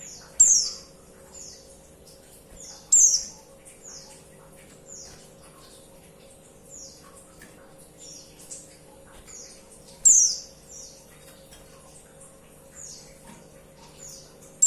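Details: Female white-eye calling the male, meant to set males singing: three loud thin high descending whistles spaced several seconds apart, with many fainter similar high notes between them and steady low background hum.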